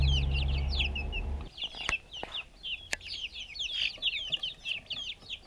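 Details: Backyard chicks eating food, recorded on a GoPro: a low rumble fades after about a second and a half, leaving rapid high chirping peeps with sharp clicks like pecking.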